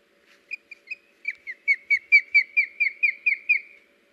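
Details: Osprey at a National Audubon Society nest, recorded August 21, 2019, as the male brings the female a fish: a series of about fourteen high, clipped whistled chirps that speed up and grow louder, then fade.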